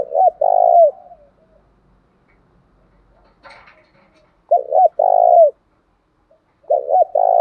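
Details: Spotted dove cooing, played as a lure to provoke rival doves into fighting: three loud, low, mellow coo phrases, each a short double note then a longer held coo, separated by pauses, with one brief click-like noise between.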